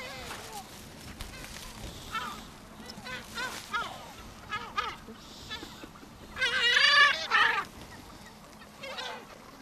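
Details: Seagulls being fed on the beach at Brean Sands, Somerset, England, on a spring day in April: overlapping squealing and laughing calls from several gulls, with a loud burst of cries near the end and a voice in the background.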